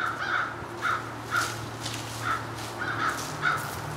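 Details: Crows cawing in the morning outside a house where birch branches are being collected; a steady run of harsh caws roughly every half second, eight in all, with a low hum underneath.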